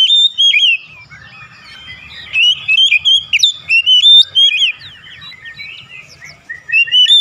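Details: Oriental magpie-robin singing a long varied run of whistles, warbles and sharp upsweeps in quick bursts, used as therapy to make the bird start singing, with faint low background hum.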